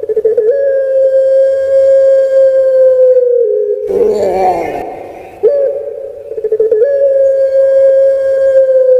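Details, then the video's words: Kept puter pelung dove from Java, Indonesia, giving a long, level, sustained coo, broken by a harsh, rolling middle segment, then returning to the long, steady drawn note. "PUTER PELUNG BERKWALITAS ( Suara Merdu Mengalun )"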